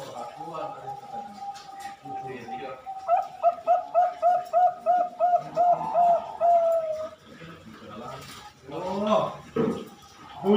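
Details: Four-month-old zebra dove bred on a farm in Pasuruan, East Java, Indonesia: a run of about ten evenly spaced soft cooing notes ending in a longer held coo, with handling noises and rustling afterward.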